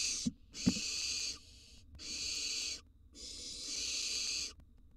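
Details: Baby barn owls, wild, in a nest box at feeding time as they swallow a gerbil and mouse: loud, harsh, breathy screeches come in four long bursts, with two sharp clicks near the start.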